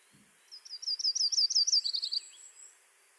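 Yellow-rumped Warbler singing a loose, high trill of about a dozen quick chips, swelling then dropping lower at the end; quiet background otherwise.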